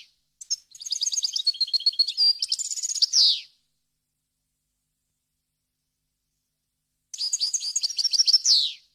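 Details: Clean, error-free European goldfinch song meant for teaching fledglings: two phrases of quick high twittering and liquid trills closing with a falling buzzy note, with a long silent gap between them.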